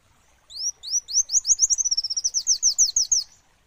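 An olive-backed sunbird gives a fast, high twittering run of thin rising notes, about a dozen in three seconds, over a quiet background.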